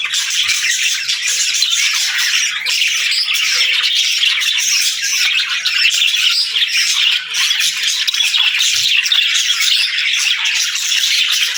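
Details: Unbroken, loud chorus of kept parakeets and lovebirds at daybreak, a dense, buzzy mass of overlapping chirps and squawks that barely pauses for nearly twelve seconds.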